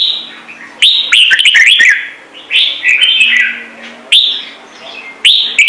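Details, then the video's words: Red-whiskered bulbul kept as a Vietnamese ornamental songbird, singing loud, bright whistled phrases with rapid slurred notes. Bursts of about a second come in four groups with short pauses between. Sharp clicks and a faint low hum sit underneath. "CHÀO MÀO | Trung Mang hót giọng chuẩn cực hay - Bổi nghe là hót"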